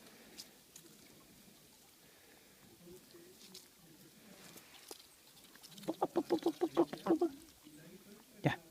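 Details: A duck makes a quick burst of about ten clipped, rattling quacks in under two seconds, like a machine gun, while eating. A person talks quietly in Spanish beforehand.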